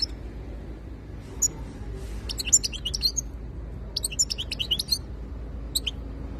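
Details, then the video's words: Goldfinch, called khaloui, singing sparse, scattered high chips and short twittering phrases in loose clusters with gaps, over a steady low hum. "تغريدالحسون الخوي twitter chardonneret"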